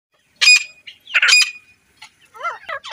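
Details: Female grey francolin calling: two loud, harsh, rasping squawks about a second apart, followed by softer chirps and twittering from other small birds.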